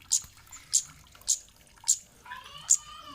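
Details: Kemade giving a high sharp 'cit' chirp, played to make other kemade birds answer and sing. Short ticking notes repeat about every 0.6 seconds over a hissy background, with a faint warbling sound near the end.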